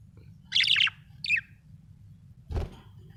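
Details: Budgerigar in a happy mood: a loud raspy chirp, a shorter falling chirp, then a dull thump, with a low hum behind.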